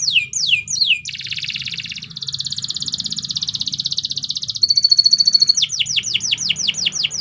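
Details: Canary singing a varied training song: descending whistled sweeps, broad buzzy trills, a ringing high rolled phrase, then more rapid falling sweeps, over a low hum.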